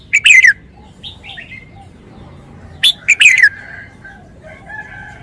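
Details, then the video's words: Red-whiskered bulbul, a caged songbird, sings its big-toned wild-style phleng pa phrases: two strong bursts three seconds apart, sharp notes dropping into a warbled falling whistle, with soft chatter in the gaps. "นกกรงหัวจุก 292 เพลงป่า แกนโต"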